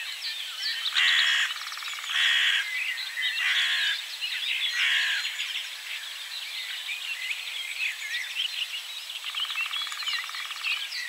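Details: Lesser spotted woodpecker drumming from a distance too far to film, in Poland: four rapid rattling rolls about a second long in the first five seconds, over a dense chorus of other birds twittering and a buzzing trill.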